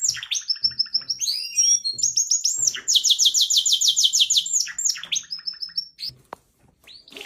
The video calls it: Canary bird singing